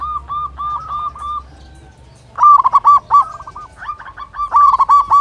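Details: Local zebra dove, an active singer with a big voice, used as a lure to stir other zebra doves into calling: rapid runs of rounded, bubbling coos, a softer phrase first, then louder bursts separated by short pauses.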